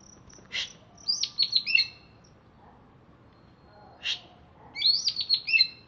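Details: Greater green leafbird from Alas Purwo, Banyuwangi, captive and just bathed, singing: high thin whistles and sharp clicks in two short bursts of rapid descending and wavering notes, separated by a quiet pause.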